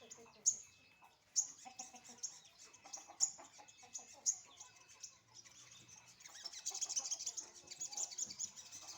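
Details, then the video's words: Sunbird out in the morning sun, likely caged; sharp high chips spaced about a second apart, then a dense stretch of thin twittering in the last three seconds. "jemur pagi burung sogon"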